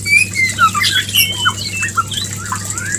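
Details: White-rumped shama mating call used as a lure: scattered short whistles and quick chips at varied pitches, irregularly spaced, over a constant low hum.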